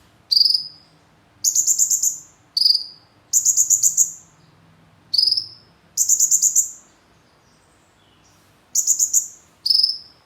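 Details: Konin song featuring kemande mimicry, with bursts of rapid, very high trilled notes and single falling whistles, delivered in groups separated by pauses of one to two seconds.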